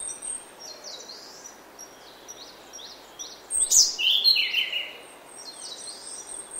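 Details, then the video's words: Grey-backed thrush singing early in the morning in oak woodland, a loud rich warbled phrase in the middle over a chorus of thin high whistles and chirps from other birds. "Early Morning In Oak Woodland. Prominent Song From Grey-Backed Thrush."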